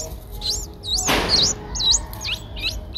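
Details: Nestling Streak-eared Bulbuls, eight days old, at Ubon Ratchathani, Thailand, on 10 April 2023; loud, looping high squeals in a busy overlapping chorus, broken by a short dull thump.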